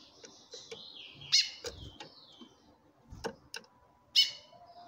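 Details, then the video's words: Chestnut-bellied seed finch female calling toward a male that responds singing: two sharp, ringing call notes nearly three seconds apart, faint descending warbles, and several clicks and knocks. "FÊMEA DE CURIÓ CHAMANDO MUITO"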